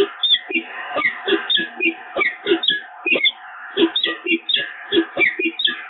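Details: Peregrine falcons bonding again at the Evoluon nest on 7 March 2022: harsh, rasping notes repeated rapidly in an uneven chattering series, each call dropping from a high scratchy onset, with a muffled, band-limited sound.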